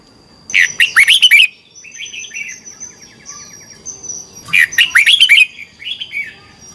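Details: Red-whiskered bulbul in competition song, the twisting morning style used as a lure to train birds: two bright, fast warbled phrases of about six notes each, with soft chatter between and a thin constant high tone behind.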